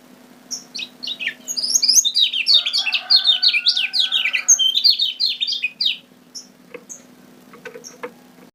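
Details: Lombok kecial kuning song played as a lure: a rapid run of sharp, high, scratchy twitters and slurred chirps lasting about four seconds, followed by scattered thin clicks and soft notes, with a constant low hum beneath.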